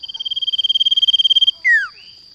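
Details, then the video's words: Male sirtu lure sound: a fast, even trill of pulsed high whistles for about one and a half seconds, then a single sharp whistle sliding downward. "SUARA PANCINGAN SIRTU JANTAN"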